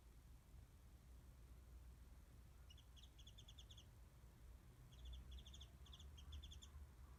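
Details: Distant warbling white-eye above a garden where mandarin oranges are offered, smartphone recording; two short bursts of quick, high twittering notes, separated by a pause, over steady low-pitched background noise.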